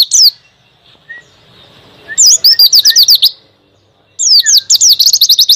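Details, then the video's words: Pleci white-eye, a small loud-voiced bird kept by songbird hobbyists, singing training song; bursts of rapid high whistled notes, quick down-slurred phrases repeated about four per second, separated by short pauses. "MASTERAN BURUNG PLECI ISIAN. NGALAS DENGAN TEMBAKAN MANTAB."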